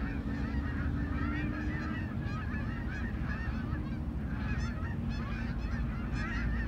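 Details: Canada geese approaching and landing give repeated nasal honks in an overlapping chorus over a heavy, steady low rumble of wind or rushing air.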